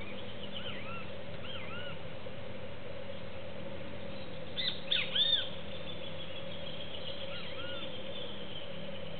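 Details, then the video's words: Juvenile cowbird competing with doves at a feeder for seeds: soft curved whistled notes at the start, then a brief burst of sharper arched chirps midway, with faint slurred notes later over a low steady hum. "Tordo Juvenil"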